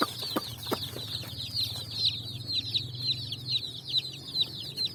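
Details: Group of colourful chicks on sand at evening searching for food, giving a dense chorus of shrill, falling peeps, about two per second, after a few knocks at the start.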